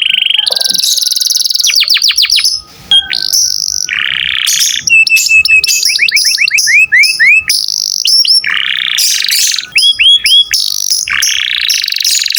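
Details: Canary in lively 'gacor' song for tutoring songbirds: a long varied sequence of buzzy rolls, rapid slurred whistles in quick series, bright trills and abrupt pitch changes, continuous with only brief pauses.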